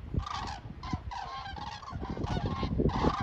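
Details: Short burst of common crane calls from birds flying over Hillensberg: quick, repeated, slightly warbling trumpeting notes overlapping each other, with wind rumble below.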